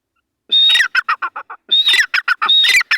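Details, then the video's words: Free-roaming wild grey francolin in jungle, breeding season; loud calls start with a drawn-out whistled note, then tumble into a quick run of harsh chirping syllables, the phrase given three times with short gaps. "beautifull dhakni ki awaz /jangal man azad phirta hoa /teetar sound"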